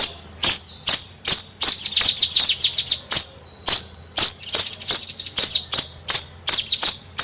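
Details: Bayeman bird singing in a rapid, energetic style, with sharp high notes repeated about twice a second and bursts of fast descending chips between them.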